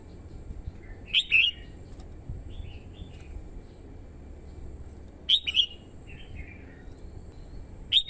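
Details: Decoy red-whiskered bulbul singing to draw in wild birds: loud sharp warbled bursts near the start and end, with softer, lower chirped notes between them, against a steady low background hiss.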